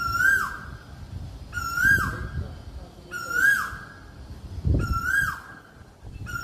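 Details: Asian koel giving a series of ringing, steady-pitched notes, each ending in a short rise and fall, about every one and a half seconds, with soft low rumbling and thuds in the background.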